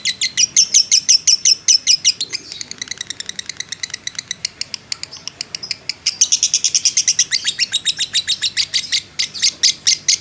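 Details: A fighter lovebird delivers its extended 'ngekek' chatter as a provoking training recording. Shrill, rapid notes start fast, slow into rougher, looser chips, then speed back up into a bright, hurried trill.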